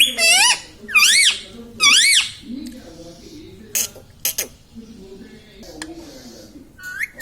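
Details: Indoor pet Indian ringneck parakeet that talks, saying words like mummy and papa; three shrill wavering phrases in quick succession at the start, then scattered clicks and soft low murmurs.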